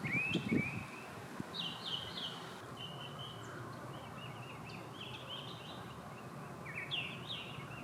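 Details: A mockingbird sings in the background by a Florida canal as manatees feed on mangrove leaves and other birds sing; a thumping burst opens, then a run of varied warbled and slurred high phrases follows over a constant low hum.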